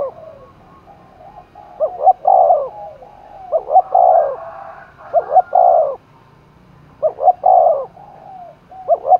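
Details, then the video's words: Spotted dove in Đồng Nai, Vietnam, giving contest cooing meant to make a wild-caught dove coo quickly. Mellow phrases of quick hoots and long swelling coos repeat about every two to three seconds. "cu gáy thúc đấu vang cả núi rừng đồng nai, cu gay kich boi nhanh noi gù"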